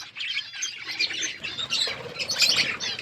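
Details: Several budgerigars in an outdoor aviary chirping, quick high twitters and squeaky notes overlapping in short bursts.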